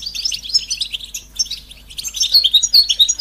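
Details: European goldfinch in betbeta-style chatter, a call meant to stimulate silent males: a quick stream of tinkling, sharply varied high notes.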